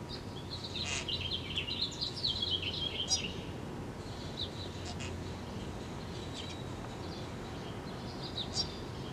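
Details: European starling coming back with a worm, giving a three-second burst of squeaky, scratchy whistles and clicks, then a few faint chirps and one short high note near the end amid steady noise and hum.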